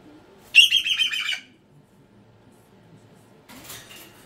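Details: Pet cockatoo gives one loud, buzzy pulsing scream lasting about a second, followed by silence and a softer rasp.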